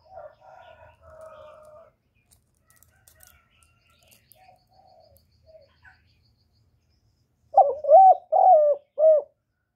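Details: Spotted dove cooing, used to draw wild birds to the trap site. Faint, low coos in the first two seconds, a long quiet stretch, then four loud, rounded coo notes in quick succession at the end.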